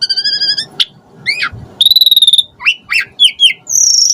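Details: Asian pied starling song meant to provoke other starlings into singing, full of varied filler: a steady pulsed whistle, sliding rising notes, a long level whistle, then quick downslurred chirps and a high buzzy note.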